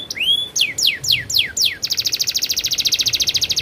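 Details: Canary rolling song: a few rising and falling whistled slurs, then a long rapid, evenly pulsed trill.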